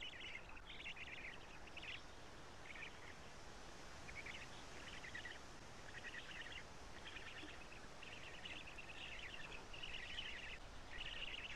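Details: Black stork nestlings at Karula being fed by their father on 3 June 2017, late morning; short buzzy chattering bursts repeated at irregular intervals over a constant noisy background.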